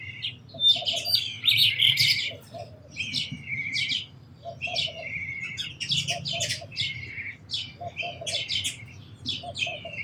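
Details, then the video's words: Busy sparrow chirping with dense, high, squeaky notes in clustered bursts. A fainter, lower repeated note comes from another bird beneath. "Very Beautiful Birds & Sparrows Sounds"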